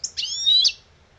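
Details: Old European goldfinch, lebrijano song style: a short sharp chip followed by a drawn-out, buzzy, high whistled note that swells and ends abruptly, with no other sounds.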